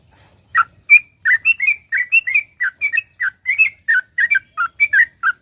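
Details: Sooty-headed bulbul in long rapid 'ropel panjang' song for prompting other bulbuls to sing: after a thin high note, closely spaced fluty up-and-down slurs follow in a lively, unbroken run.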